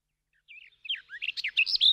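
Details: A Garden Warbler, a summer warbler in the UK that skulks in bushes, sings a rich, hurried warble of fluty, melodic notes running quickly together, growing louder over about a second and a half.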